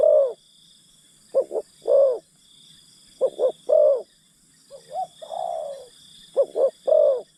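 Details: Spotted dove acting as a decoy for wild birds, repeating short-short-long coo phrases, with one slurred, wavering longer coo in the middle; a steady high-pitched hum continues throughout.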